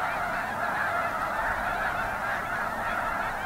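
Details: Massed snow goose calling, many honks piled on top of one another in a continuous, even clamour without any gap.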